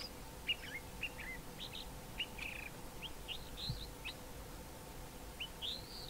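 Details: Singing male common fiscal near Grahamstown copying local fynbos species like the wailing cisticola and Cape grassbird; quick scattered squeaky whistles and hooked chirps, ending in a longer arched whistle, set against constant outdoor hiss.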